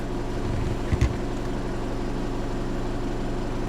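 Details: Low, steady engine hum of an idling vehicle with a brief knock near the first second, no animal calls.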